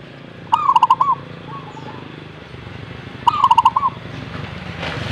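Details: A zebra dove sings two quick bubbling phrases almost three seconds apart, each a run of clipped, hollow coos with a slightly higher opening note; faint background hum between phrases.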